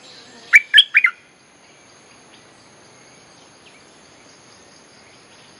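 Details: Bulbul song played as a lure for wild birds: a quick cluster of four clear chirping notes, followed by long quiet and one clipped note at the end; faint background hiss.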